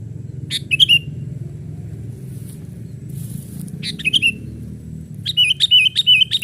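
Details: Lure sound of a young sooty-headed bulbul playing on a branch, meant to excite wild birds: scattered sharp chirps with twisting tails, a quiet pause in the middle, then a quick string of bubbling notes at the end.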